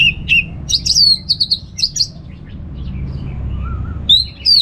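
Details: Orange-headed thrush in Singaraja, Bali, singing ngeplong as a lure for kept birds: crisp high chirps and slurred notes in short phrases, a soft low whistle in a quieter middle stretch, then more bright notes.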